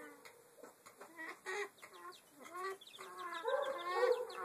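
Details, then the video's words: Chicken giving odd, strange clucking noises: short harmonic clucks in uneven bursts about twice a second, some drawn into longer wavering notes toward the end. "Strange chicken noises"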